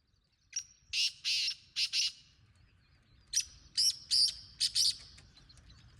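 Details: Two rasping five-note phrases from a wild black francolin, each a brief opening note followed by longer harsh grating notes, the second phrase slightly fainter, with faint rural background hiss.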